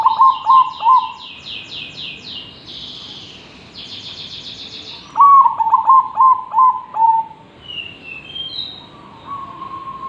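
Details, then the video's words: Zebra dove in lively song, used as a master recording for training other birds: two bouts of rapid hooked cooing notes, five then seven, steady in pitch, with high buzzy chirps from other birds or insects between and a long even tone at the end. "Perkutut Gacor,, cocok untuk masteran..!!!"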